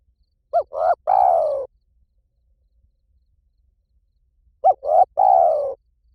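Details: Two full phrases of 'liu tan' style spotted dove cooing, used as playback to train a dove to answer. Each phrase is a brief looped note, a swelling middle note and a long sliding coo, about four seconds apart.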